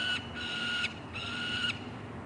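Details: A juvenile peregrine falcon at a nest box in Columbus, Ohio, on 28 June 2016 gives three harsh, steady screams, each about half a second long, in quick succession.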